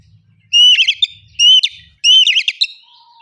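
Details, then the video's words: Oriental magpie-robin giving loud ngeplong song meant to trigger other birds into singing: three phrases, each a long pure whistle breaking into rapid chattering trills, roughly one per second, then a faint low tone trailing off. "pancing kacer ngeplong jamin bunyi"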